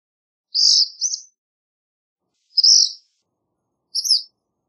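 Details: Black phoebe singing: high, thin two-part notes around the upper range, a slurred double phrase followed by single chips, spaced about two seconds apart on a silent background.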